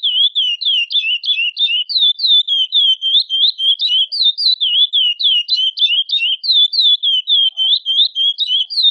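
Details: Soliciting female curió, or chestnut-bellied seed finch, repeating bright, slurred chirps about three per second, near thirty in nine seconds, occasionally in quick pairs, in an otherwise quiet recording.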